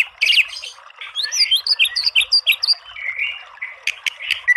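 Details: White-rumped shama song for bird training: jumbled sweet whistled notes in quick succession, a softer warbling middle section, and sharp high chips at the end.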